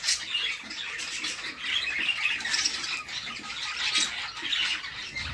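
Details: Mother budgerigar feeding her chicks inside a nest box; rasping, hissy chatter with short squeaky notes, continuous and slightly pulsing across the few seconds.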